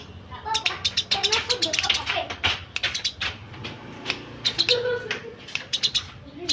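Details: Eurasian tree sparrow chirping, recorded as a tutor sound for training magpie-robins and green leafbirds: a dense, unbroken stream of short, sharp, high chirps, some overlapping, with a faint low murmur underneath.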